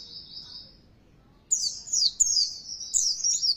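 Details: Oriental white-eye lure song used to make a caged bird sing harder: a short high trill, a pause, then a burst of rapid, sharp, very high twittering notes.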